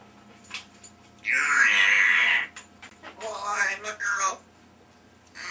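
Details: A 3-year-old female African grey parrot that talks a lot gives a loud, drawn-out, raspy whistle lasting over a second, then a run of short, speech-like chattering phrases in a quiet room.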